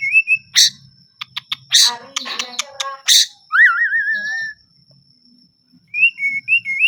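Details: Melodious singing of a white-rumped shama: sharp clicking and rattling notes, then a loud wavering whistled phrase, pauses and short rising and falling whistles at the end, with a constant faint high tone behind.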